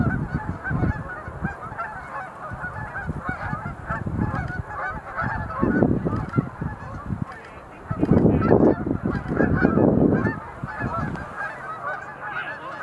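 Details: A flock of Sandhill cranes doing display leaps at Montezuma National Wildlife Refuge visitor center in November 2020; long stretch of massed rattling, trumpeting calls swelling in loud waves, with heavy low rumble.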